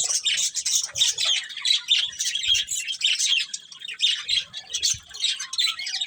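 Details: Breeding pair of budgerigars kept as a family, chattering nonstop with dense, high scratchy chirps and squawky warbles in quick irregular bursts.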